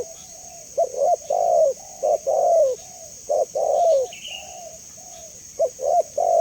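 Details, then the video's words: Spotted dove calling: series of low, mellow coos, short notes and longer slurred phrases with falling ends, grouped in bursts across six seconds; faint steady high hiss in background and a brief thin whistle from another bird. "Suara Jernih Burung Tekukur"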